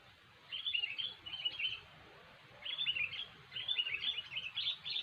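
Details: Cengkram style gacor song of a sooty-headed bulbul, used to lure birds into traps: several short warbling phrases of rapid liquid notes with gaps, set against a constant hiss and rumble.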